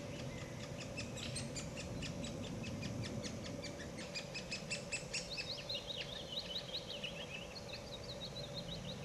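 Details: Great spotted woodpecker feeding young, with female then male feeding a chick: a dense run of sharp, high ticking calls, then quicker squeaky rising-falling notes, over a steady low hum.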